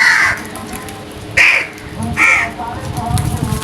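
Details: Crows cawing at early morning, three loud harsh caws spaced about a second apart with low rumbling background noise.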